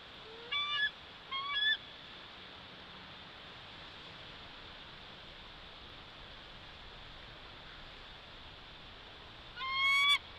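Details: Bald eagle calling at its nest in Big Bear Valley, caught on a live nest camera: three brief, thin, high squealing bursts rich in stacked overtones, two near the start and one at the end, over a steady broadband hiss.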